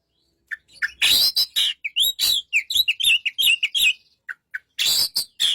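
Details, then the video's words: White-rumped shama singing a fast, varied phrase of sharp chirps, clicks and whistled notes, with short gaps between bursts. "burung kacer"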